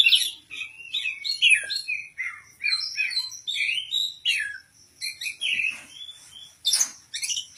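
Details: Caged oriental magpie-robin described as ready for a singing contest, delivering a rich, varied song of whistled slurs, chirps and buzzy notes in rapid phrases with short pauses, and a few harsh bursts near the end.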